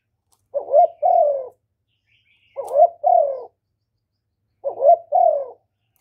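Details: Spotted dove cooing to stimulate males. Three paired coos come about every two seconds. Each opens with a quick upward note, then a sustained coo that sags lower, and the stretches between them are silent.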